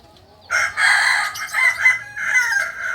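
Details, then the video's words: Crowing of a Kukuak balenggek rooster, the singing chicken of Solok in West Sumatra: after a quiet half second, a strong harmonic crow runs in several linked, wavering segments to the end. "Ayam kukuak balenggek ayam penyanyi dari solok sumbar"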